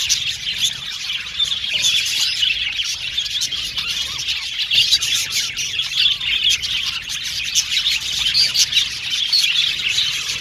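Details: Colony of budgies kept in an aviary, a crowd of chirping and warbling voices overlapping into a constant high, busy twitter, punctuated by occasional sharper squawks.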